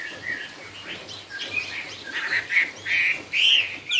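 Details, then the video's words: Chinese hwamei singing in the cao cầu style: soft, scattered whistles at first, then louder, clearer slurred whistled phrases building toward the end, with a faint low hum beneath. "Trong rừng có cây Thông mọc thẳng, con chim hót cũng thẳng " Họa mi cao cầu""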